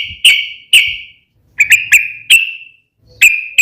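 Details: Sooty-headed bulbul, lure recording in 'ropel' style to make bulbuls respond: single clear whistled notes with long ringing tails, spaced irregularly, some in quick pairs.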